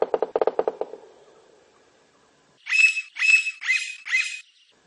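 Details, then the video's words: Wild blond-crested woodpecker: a low pulsed rattle dies away, followed by four harsh, buzzy high notes spaced roughly half a second apart. "CANTO DO PICA PAU CABEÇA AMARELA NA NATUREZA"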